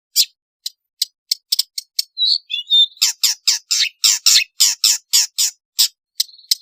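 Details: Long-tailed shrike song with varied fill-in material, offered as a lure for shrikes that sing little; spaced sharp ticks, a brief twittering passage, then a rapid series of harsh, grating notes about four per second.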